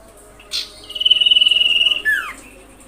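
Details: Common iora lure call meant to provoke other ioras into calling: a sharp short note, then a long, high, finely pulsed whistle held for about a second, ending in a quick downward slur.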